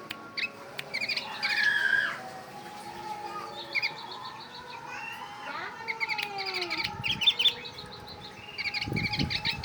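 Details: Oriental white-eye singing a bulbul-like song: high chirpy notes in short bursts with some descending slurred whistles, over steady lower tonal background sounds and a few low thumps near the end.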